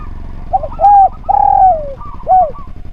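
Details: Spotted dove singing for a training recording. A soft stuttered lead-in is followed by a bowed coo, a long sustained coo that falls gradually at its end, and a last short rounded coo, with gaps between the phrases.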